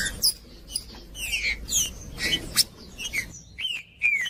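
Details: Green-winged saltator song used to warm up birds and train young ones: quick clusters of sharp, high whistled notes, closing with two level whistled tones and a low, steady background rumble.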